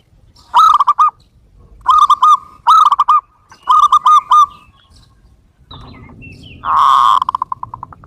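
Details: Zebra dove in full-volume song: rapid bursts of three to five clipped, ringing coo notes, repeated in short groups with brief pauses, then one louder, rougher note followed by quick trailing notes.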